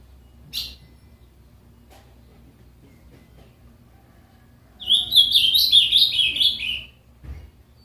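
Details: A pet Ultramarine Grosbeak (azulão) from Capão Bonito, São Paulo state, Brazil, sings a quick, warbled phrase of high, slurred notes lasting about two seconds, with a brief click and a thump before and after.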